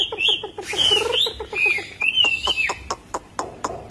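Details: Chinese hwamei delivering khiển khách song with fluffed belly: looping, swooping whistled phrases and bright slurs that tumble up and down, over a steady patter of crisp clicks.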